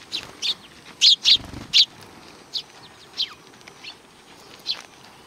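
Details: Sparrows welcoming a visitor at a Tenmangu shrine in July 2020: a few loud, clipped chirps in the first two seconds, then sparser notes, one sliding downward, with brief low rustling.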